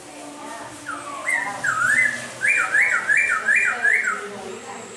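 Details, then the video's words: A laughingthrush sings during rain. A few slurred whistles lead into a run of four or five bright, evenly spaced rising-falling whistled loops, then a soft, low trailing note. "Khướu mun hót trời mưa"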